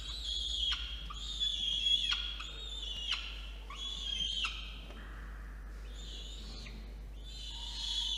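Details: Peregrine falcon chick begging as an adult male brings food to a nest box atop a water tower in Orange, NSW, Australia, 8:56 PM, 5 November 2021; harsh, wavering, high screeching calls repeated in bursts, overlapping one another.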